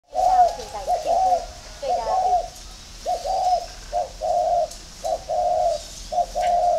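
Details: Spotted dove calling while competing with a decoy bird; a long, tumbling opening coo, then a series of low, hollow, rounded coos at uneven intervals, about one per second.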